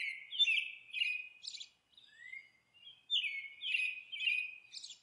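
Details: Monk parakeet at its nest giving harsh, grating squawks in quick chattering bursts, about two per second, with a brief pause midway. No other sounds stand out.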